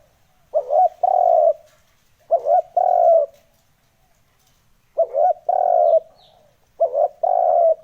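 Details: Lure recording of a spotted dove for attracting wild birds: four low, mellow cooing phrases, each a broken double note then a drawn-out coo, repeated about every two seconds against quiet background.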